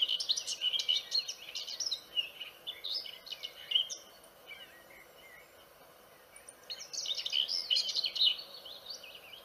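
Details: Chirping of the vernal hanging parrot, an Indian parrot species: fast, thin, twittering notes in dense high bursts at the start and end, a sparser stretch of single chirps between.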